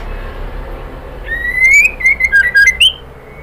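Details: Female white-rumped shama calling the male: a long rising whistle, then several rapid wavering notes ending in a higher upward flick.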